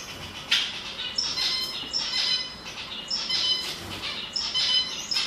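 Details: Canary, song heard while judging whether the bird is male: repeated bright whistled notes with trilled accents, phrases returning about every second.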